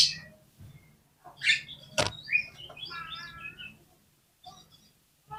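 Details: Oriental magpie-robin lure song, meant to make other birds burst into song: faint clicks and a loud broadband snap, then a soft run of varied whistled and warbled notes around the middle, fading to near silence.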